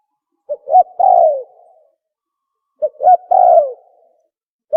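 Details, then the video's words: Spotted dove (tukmo) call played to lure birds for hunting; two phrases, each a short note, a second note, then a long falling coo, about two seconds apart, in otherwise complete silence. "Tukmo sound effective sound call | for Hunting"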